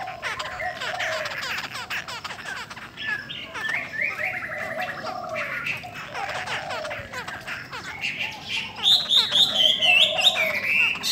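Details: Female Chinese hwamei said to strongly stir up males, singing a loud, varied run of rich warbled phrases and rapid rattling notes that rise into sharper, higher whistles near the end, with no other clear sounds.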